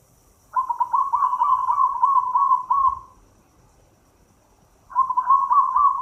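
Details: Local Indonesian zebra dove singing energetically, played to stimulate captive doves that rarely sing: a rapid rolling trill of low cooing notes for about two and a half seconds, a pause, then another trilled phrase starting.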